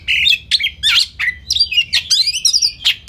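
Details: Rapid white-rumped shama song, about three loud phrases each second, mixing whistled slurs with scratchy, buzzy notes high in pitch.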